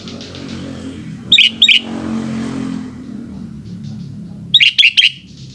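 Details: Sooty-headed bulbul in the afternoon giving two short pairs of bubbly whistled notes, then a quicker group of three or four, against a constant low rumble like passing traffic.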